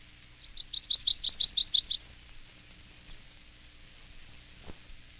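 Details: Yellow-rumped (Myrtle) Warbler song from a collection of eastern bird songs: a quick, even trill of about eight high, sweet two-part notes lasting under two seconds, then quiet with a faint click.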